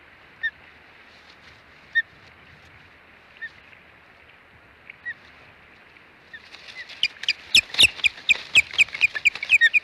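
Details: Ospreys at the Hog Island nest on 21 April 2020, two females fighting with the male caught between them: a few widely spaced single calls, then a loud burst of rapid, shrill, repeated chirping notes.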